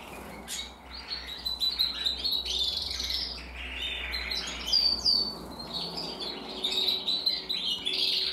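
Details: Singing canary with a grizzle crest, bred in 2023: quick twittering phrases and rolling trills mixed with sharp whistled notes, rising and falling in loudness, with a soft low hum beneath.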